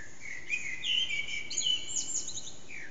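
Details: Blackbird, Eurasian, singing its early morning song around 4:30am, hidden in an echoing backyard, phone-recorded on an HTC Desire; flowing fluted whistles sliding up and down, then rapid high squeaky twitters and a final dropping note.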